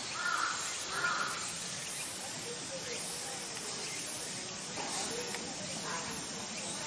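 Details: Chilean flamingo (Phoenicopterus chilensis) at a zoo park in Kawasaki, Kanagawa, Japan, giving two harsh nasal honks about a second apart, then fainter grunting calls, over steady background hiss.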